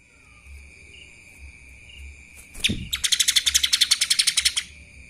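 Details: Lesser green leafbird singing in the kapas tembak style: after faint chips, a sharp note leads into a fast, even burst of bright, high chattering notes lasting about two seconds, over a steady high-pitched background whine.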